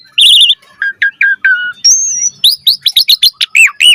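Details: Asian pied starling singing energetically with a puffed-up display and a full variety of chatter: a warbled whistle, then short mid-pitched slurred notes, a long high steady whistle, and a rapid series of sharp rising-falling whistles.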